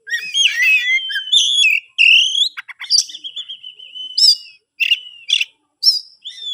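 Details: Captive-bred Kacer songbird from Kebumen sings a rich, varied song of clear whistled phrases, rising and falling slurs and short buzzy trills, with brief pauses between bursts.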